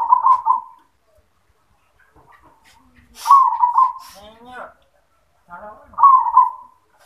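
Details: Yoman-style song of a zebra dove: three short, rolling coo phrases spaced roughly three seconds apart. Between them a person talks in a wavering voice.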